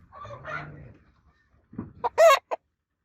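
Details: Rooster in a crowing competition gives a loud, harsh, broken crow in short bursts after a low drawn-out note, then silence.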